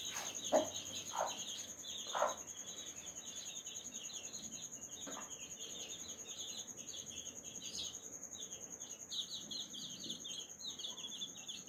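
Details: Hen summoning her chicks to strawberry. Several brief, low clucks come early, spaced a second or more apart. Dense, shrill chick peeping runs throughout, and a constant high whine sits behind them.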